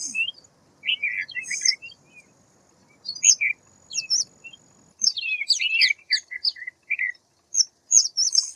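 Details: Bright, high twittering calls of a white wagtail, short chirped notes delivered in irregular clusters, some descending, over a quiet low hum.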